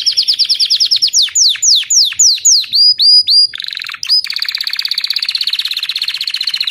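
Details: White crested Belgian canary singing: a fast series of high repeated notes, then a run of steep downward-sweeping whistles, a few short hooked notes, and finally a long, rapid, even buzzing trill held for almost three seconds.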